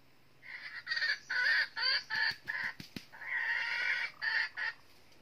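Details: Red-eared decoy jungle hen from northern Vietnam, used to lure wild junglefowl into a trap, giving loud harmonic clucks and cackles in quick uneven bursts, with a few sharp clicks in the middle.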